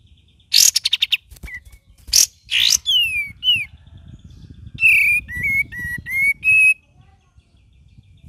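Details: Cream-vented bulbul with a varied song: rapid harsh chattering bursts, then a sequence of slurred whistles stepping up and down, over a steady low rumbling background.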